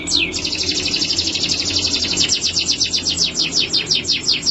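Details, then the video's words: Male canary in full song: a long, rapid trill of repeated high descending notes, roughly three per second in pulses, evenly sustained throughout. "Male Canary (bird singing)"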